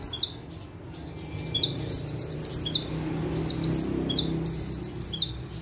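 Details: Ciblek or prenjak tebu, the bar-winged prinia, perched in one place and singing hard; dense strings of high, sharp chirps and trills, some phrases starting lower then jumping up, almost continuous over faint hum.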